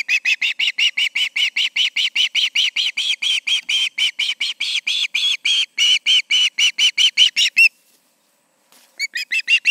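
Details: Evening osprey calls at a nest, two birds together in late August; a long fast run of shrill, strident whistled chirps repeated several times a second, breaking off briefly before resuming.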